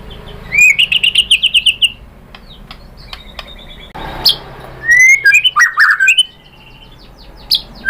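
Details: White-rumped shama singing to provoke a rival: a fast series of repeated whistled notes, a quiet gap, then loud slurred and rising whistles; a low hum runs underneath.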